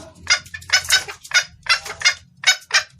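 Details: Female red junglefowl calling to the male, a clear lure call. Harsh, raspy clucks come in quick pairs and doublets, loud and broadband, with short gaps between groups.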